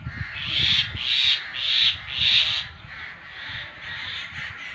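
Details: Angry crow giving four loud, harsh, evenly spaced caws, about one every half second, followed by fainter calls in the background.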